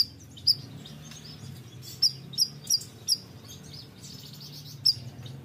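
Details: Bayeman bird singing actively: short, thin, high chirps that dip slightly in pitch, given singly or in quick pairs at uneven intervals, with a low constant hum underneath.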